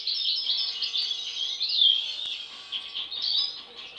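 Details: Goldfinches, all siblings, two carrying an unusual mask since birth, produce an unbroken high chatter of tinkling notes and slurred buzzy phrases with slight swells in volume.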